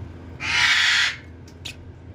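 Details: Baby red-sided eclectus parrot being hand-fed gives one loud, rasping screech lasting under a second. Two faint short noises follow, over a low steady room hum.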